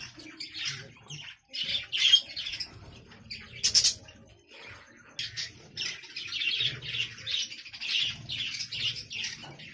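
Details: Budgerigars in a breeding colony with chicks and eggs in the nest pots chatter in high, raspy chirps, first in scattered bursts, then in a denser warbling run, with soft low rustling underneath.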